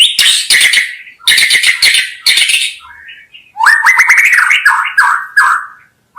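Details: Harsh scratchy chattering bursts from a white-rumped shama, followed by a soft low whistle and a long rolling whistled warble.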